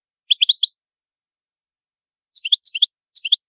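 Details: European goldfinch in the Palermo Sicilian song style: two short bursts of three to four quick, bright tinkling notes separated by a silent gap of about two seconds. No other sounds.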